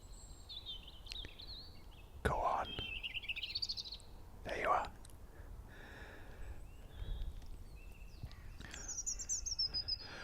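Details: A European robin, about 15 ft away, sings thin, high, wavering warbled phrases with a slightly sadder tone. Each phrase differs from the last rather than repeating one tune, and a person speaks briefly between them.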